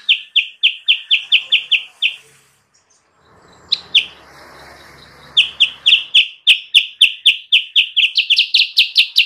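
Sooty-headed bulbul giving bright, high chirped notes about four a second in steady runs, broken by a brief pause with a soft noisy rustle.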